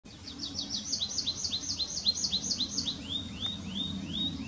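Tree pipit song: a fast series of high, downslurred notes that slows into lower, drawn-out sweeping notes, over a low steady hum.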